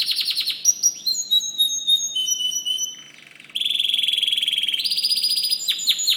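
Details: White canary song, continuous and varied. Fast trills and sustained rolling phrases shift in pitch, a quieter low stretch comes near the middle, then a loud, buzzy rapid roll and sharp repeated notes follow.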